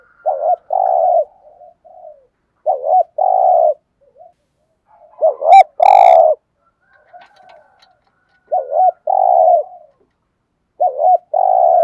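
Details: Spotted dove kept as a decoy repeats its deep coo phrase four times to provoke wild birds, each a quavering lead note and a held coo, with one sharp bright click mid-sequence.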